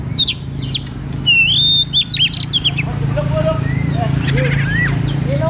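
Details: White-rumped shama singing loudly as a lure for an undeveloped shama: a burst of sharp chips and a sustained whistled note early, then softer scattered whistles over strong low droning background noise.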